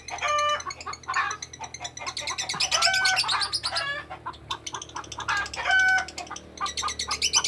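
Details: Lovebird in extended ngekek: bursts of fast, chattering squeaks and harsh rattles, broken by brief gaps, with some clear whistled tones mixed in.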